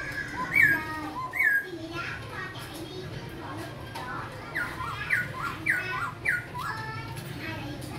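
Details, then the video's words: Young captive Black-throated laughingthrush from Cao Bằng, tail just emerging, sings clear swooping whistles, two early, then a run of four spaced about half a second apart, with children's voices and speech in the background. "Khướu bạc má cao bằng tố chất đang nhú đuôi"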